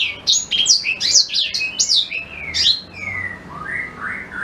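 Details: Black-throated canary giving a fast, varied warble of sharp high sweeping notes that slows into longer lower slurred whistles, a recording used for teaching white-rumped shamas.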